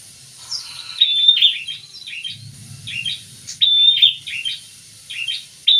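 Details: Prinia pair in song, repeated high, clipped chirping phrases spaced through the recording, with a low rumble in the background midway.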